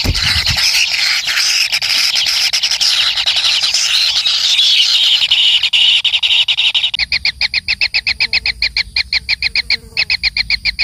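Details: A kingfisher chick fed by its parent starts with a continuous harsh, hissing chatter, then switches to a clear run of short, evenly spaced high chips.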